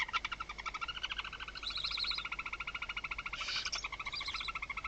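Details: Barn owl in an interior nest box at Riet Vell reserve, Ebro Delta, at night on 21 October 2025 as the male brings the first prey to the second clutch, giving a fast, steady, buzzy rattle of about ten ticking pulses a second, with a brief harsh hiss partway through.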